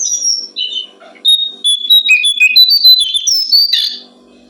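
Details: Brown-streaked flycatcher song for training songbirds: a clear sequence of high, pure whistled notes and short buzzy trills, varied and fast, with no other loud sounds.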